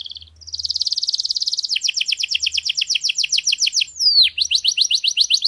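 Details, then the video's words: Canary tutor song, described as error-free and meant to teach chicks. A fast, steady high trill is followed by quick repeated downslurred notes, then a sweeping dip and a new series of rising notes, with faint low thuds underneath. "غناء كناري خالي من الاخطاء لتعليم الفراخ Error-free canary singing to teach chicks"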